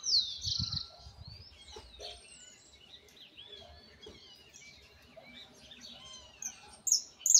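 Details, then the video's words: Young Argentine white goldfinch rehearsing its still imperfect misisipi song: an opening buzzy burst, then soft looping whistled notes and twitters, ending with sharp high chirps. "Pichón el misisipi, con cositas por corregir pero la base está."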